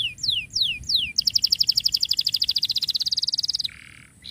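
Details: Lively canary song meant for tutoring silent canaries: three loud downslurred whistles, then a fast, even trill of bright pulsed notes lasting over two seconds, ending in a softer low buzz.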